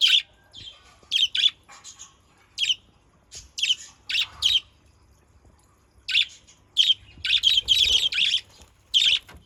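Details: Budgerigar chatter recorded as a lure, a steady stream of short, harsh, buzzy chirps, some paired and some in rapid bursts, growing busier near the end against a quiet low background hum.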